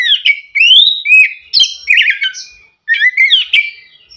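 An Oriental magpie-robin calls to its parent with a quick run of bright, sweeping whistles.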